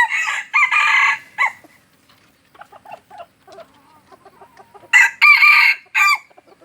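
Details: Junglefowl of Aceh kept as a decoy crows in three rough bursts, murmurs low clucking notes, then crows loudly again in a broken multi-part phrase.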